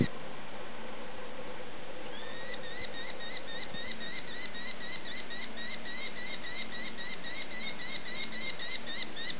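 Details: Young sparrowhawks being fed: after two quieter seconds, a sudden burst of rapid, high, upslurred begging chirps carries on steadily to the end over low background hum.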